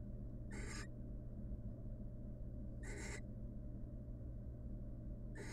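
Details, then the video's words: Nesting wild barn owl pair during egg incubation, with the female showing the male affection. Short breathy, hissing screeches repeat roughly every two and a half seconds against a steady low-pitched hum. "Female barn owl shows the male love"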